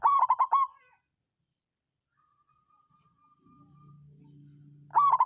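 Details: Local zebra dove of the songgo ratu type, song used as a lure to raise rivals' breeding drive and coax quiet birds to sing: a short burst of rapid pulsed coos, a near-silent gap, then another burst.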